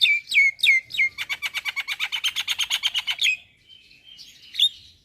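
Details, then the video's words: Javan myna in lively song: three whistled notes sliding downward, then a fast run of about fifteen harsh, buzzy repeated notes over two seconds, ending in soft warbling and one sharp chirp. "Kicauan Jalak Gacor - Suara Jalak Kebo Paling Gacor"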